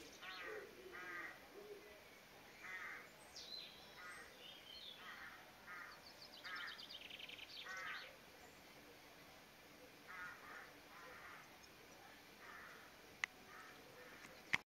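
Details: A blackbird in a Somerset garden switches from song to alarm call: short, harsh mid-pitched notes about once a second, with a few brief high twittering phrases, over background hiss, other birds singing, and two sharp clicks near the end.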